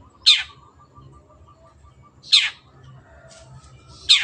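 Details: Long-tailed shrike, recorded as tutor sound for caged birds, giving single harsh downward-sweeping rasps about two seconds apart, with a soft hum between.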